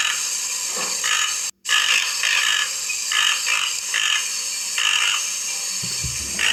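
A Toco toucan gives short, rasping croaks, repeated about once a second in a steady series, over a constant background hiss.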